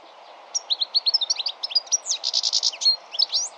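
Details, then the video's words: European goldfinch singing a fast, tinkling twitter of high notes, broken midway by a short run of buzzy, rattling notes, over a soft background hiss. "Vogelstimmen: Der Stieglitz - Goldfinch - Carduelis carduelis"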